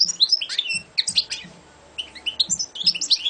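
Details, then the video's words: Champion competition European goldfinch singing bright, rapid twitters and chirps, a short pause mid-phrase, then more liquid tinkling notes. "Şampiyon Saka Kuşu"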